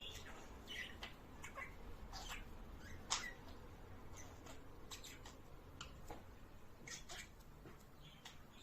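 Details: A budgerigar, apparently a male courting a female to stimulate breeding, gives quick, scratchy chirps and clicks in short bursts every second or so, over a steady low hum.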